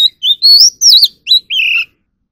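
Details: Oriental magpie-robin in song training, singing in competition style: five clear whistled notes, some sliding and wavering, others flat, each about a quarter second, separated by short gaps. No other sounds.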